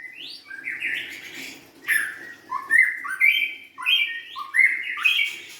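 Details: Young forest-caught White-rumped shama song: mellow slurred whistles mixed with rasping, buzzy notes, given in a lively irregular sequence of phrases roughly every half second; a soft constant hum behind.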